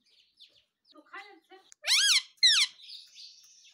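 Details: Pet parrot giving a few low, muffled, voice-like mutters, then two loud, bright, arching squawks in quick succession, trailing into a soft hiss.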